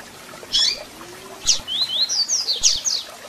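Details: Captive-bird warm-up recording of a double-collared seedeater: a sharp chirp, a pause, then another chirp leading into a lively sequence of clear upslurred whistles and shrill squeaky notes, with light background hiss.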